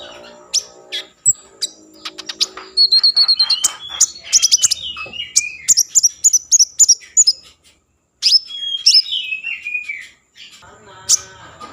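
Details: Common iora in full song, played to raise breeding mood and coax other ioras into singing: fast high trills, then long whistled phrases sliding downward with chattering notes, broken by short pauses.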